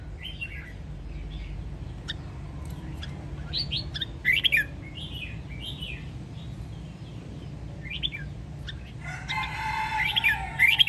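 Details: Red-whiskered bulbul from Sông Kon, Quảng Nam, Vietnam, in a training recording for cage birds: scattered short whistled, warbling phrases with clicky notes and a harsher buzzy burst near the end, over steady low hum.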